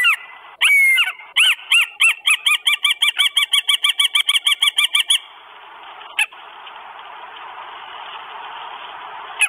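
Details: A Northern goshawk with food in Estonia on 12 May 2022 gives a rapid series of harsh, nasal 'kek' notes, about five a second, then falls quiet, leaving a soft background hiss.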